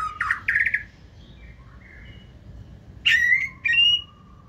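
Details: Captive white-rumped shama of the 2024 season in forest-voice style gives a few short warbled phrases: a quick pair of rich notes, a soft low whistle, then two loud bright whistled notes near the end.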